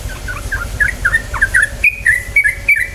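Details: Yellow-vented bulbul singing, a recording meant to prompt other bulbuls into fast rolling song: quick gurgling liquid notes tumbling up and down, then clearer slurred whistles repeated about twice a second, with a faint hum behind.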